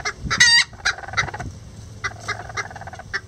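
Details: A rare Lavender Bantam group of miniature roosters and a hen, nest building together; one loud, strained harmonic call opens, then scattered short clucks follow at uneven intervals.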